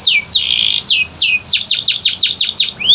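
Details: Canary song to encourage non-singing canaries: descending whistled sweeps, one drawn into a sustained note, then a quick series of short falling strokes ending on a rising whistle.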